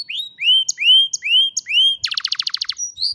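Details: Canary singing on a phone recording: four smooth rising-then-falling whistles about half a second apart, then a sudden rapid trill of short downward notes and a closing whistle.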